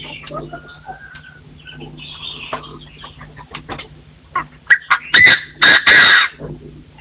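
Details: Crowing of a partridge in a forest, 2024: soft background chirps at first, then from mid-clip a run of loud rasping notes that build into long, harsh, grating bursts before fading out.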